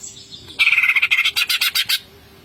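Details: A greater green leafbird gives a single ngentrok burst packed with filler notes: about fourteen quick, harsh, buzzy ticks in under one and a half seconds, layered over a steady whistled tone.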